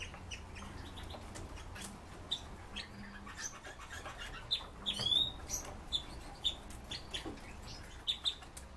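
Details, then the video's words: Captive Red-billed leiothrix uttering brief high chips, with one slightly longer sliding note near the middle, against clicking and scraping noises and a low background hum. "Китайские соловьи Leiothrix lutea"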